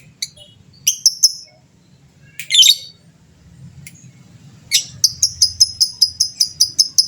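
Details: Lovebird fighter, gacor style, provoking rivals to answer: scattered sharp chirps and a raspy burst, then a long even run of rapid high repeated notes, the extended ngekek trill.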